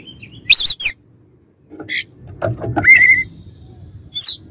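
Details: Oriental magpie-robin as a rival singer: a loud warbled burst, scattered harsh notes and a clear level whistle, with low background noise throughout.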